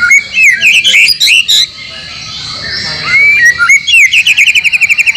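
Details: White-rumped shama song for training caged birds to sing, with mimicked material from other species. Bright rising whistles and quick notes open, then a pause before a fast, even run of clipped repeated chirps.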